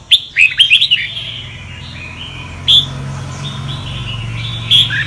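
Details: Red-whiskered bulbul, Sông Kon type, singing for voice training. A quick cluster of sharp high chips opens, then a few isolated bright notes over a faint low hum.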